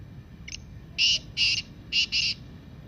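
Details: Black francolin (Kala Teetar) giving its calling voice. A faint short note leads into four harsh, grating, buzzy notes in two pairs. The call is used to encourage quiet pet francolins to call.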